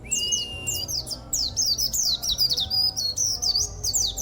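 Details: Kept local Oriental white-eye delivering a loud, unusual contest song: a level whistle, then dense rapid twittering of quick downward-sweeping high notes without pause, over faint low hum.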